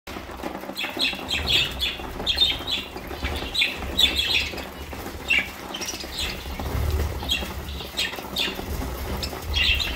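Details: Budgerigars at mealtime, eating a seed mix, give short, bright chirps in quick bursts, with soft crunching of seeds and rustling underneath.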